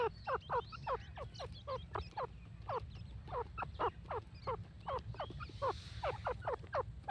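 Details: Grey francolin giving a long fast series of short downslurred notes, about two or three per second, over constant low-pitched background hum.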